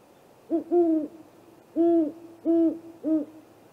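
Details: Great horned owls, a pair on an extended 15-minute night visit to a great gray owl snag tree nest in April: four low, level hoots, the first clipped, then longer notes roughly every three quarters of a second.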